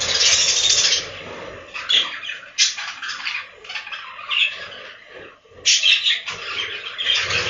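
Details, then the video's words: Breeding-room budgerigars on a budgie farm giving dense, harsh, rasping chatter in repeated surges, mixed with higher squeaky chirps and short pauses. "The life of budgies from inside the breeding room"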